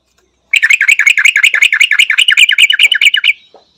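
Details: Loud, sharp, bell-like phrase of a Yellow-vented bulbul from Thailand: a continuous fast run of ringing metallic chirps, about three each second, for nearly three seconds, closing with a thin drawn-out note.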